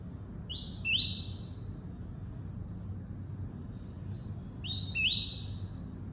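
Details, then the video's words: Tuí-tuí song from a double-collared seedeater: two identical phrases about four seconds apart. Each has a rising note, a brief dip and a long even buzzy whistle, over a soft low rumble. "COLEIRO FLASH ENCARTE (TUÍ-TUÍ)"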